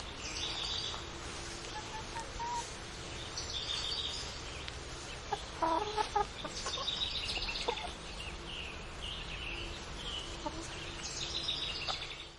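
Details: Noisy chickens on a farm cluck in repeated short bursts, with a denser flurry of clucks near the middle. Small birds keep up high twittering chirps throughout against a rural background hum.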